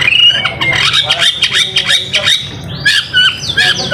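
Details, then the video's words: White-rumped shama, called murai batu, in energetic song used for training other songbirds: a dense run of quick chattering and twanging notes, then higher looping whistles toward the end, with faint low rumble beneath. "MASTERAN MURAI BATU GACOR SUPER JITU"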